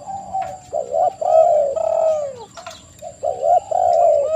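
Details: Spotted dove cooing meant to draw answers from other doves: a busy run of short throaty coos and one long downslurred note, packed closely together, over a faint steady electronic whine.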